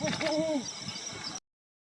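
A Brown Wood Owl gives one deep, mellow hoot lasting about half a second. It holds steady, then drops at the end, followed by faint background hiss.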